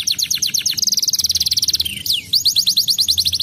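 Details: Crested fighter canary in aroused song, pouring out fast repeated high sweeps and a tight buzzy trill, two swooping slides, then more rapid notes, with a faint low hum.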